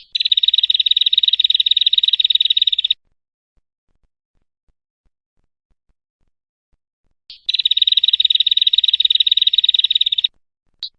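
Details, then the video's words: Prinia singing for a songbird-tutoring recording: two long bursts of quick, high, metallic chips repeated several times a second, each lasting about three seconds, separated by a long silent gap, with a short extra note at the end. "Masteran Burung | Suara Burung Perenjak/ Prenjak"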